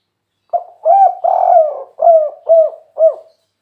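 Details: Spotted dove with kuk 3 cooing. A crisp first note, two long mellow coos, then three short arched coos repeating at a steady half-second pace. The recording is quiet and clean.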